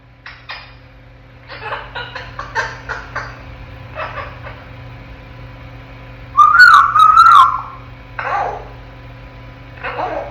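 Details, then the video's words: Ten-month-old African grey parrot in its crib, talking and making sounds: quick runs of short chattering, speech-like bursts, then a loud warbling whistled phrase midway, followed by rougher squawky notes, over a steady low hum. "AFRICAN GREY PARROT TALKING AND MAKING SOUNDS"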